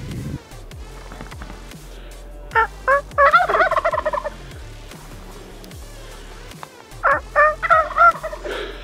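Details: A male wild turkey, hidden below the trail, gobbles twice, rapid gurgling rattles about four seconds apart over a low hum; heard while hiking the North Rim of Black Canyon National Park on Memorial Day weekend, hikers nearby making noises at him.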